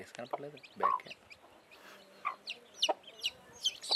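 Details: Newly hatched chicks with a blackish hen after hatching from eggs: short, high, scattered chirps, some rising, mixed with lower clucking notes from the hen and brief quiet gaps.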